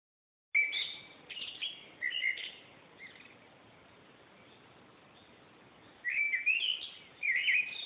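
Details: Unidentified bird singing in a backyard: short warbled whistled phrases with quick up-and-down slurs, a burst near the start and another near the end, over a steady hiss of background noise.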